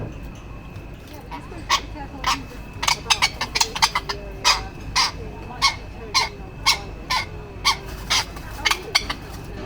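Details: Male tropicbird (Phaethon) fighting to defend its mate and nest area gives harsh, rasping shrieks in an uneven series, roughly two a second, over a steady background hiss and a faint thin tone.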